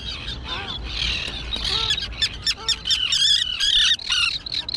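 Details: Recently fledged terns at their colony on a small island with dense grass. Scratchy, rising and falling calls overlap, followed by loud harsh screeching squawks in separate bursts.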